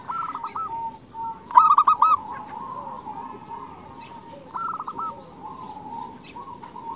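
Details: Calling female zebra dove summoning males, used to raise males' excitement: a loud rolling burst of quick staccato coos early on, with several other doves cooing more softly and repeatedly throughout.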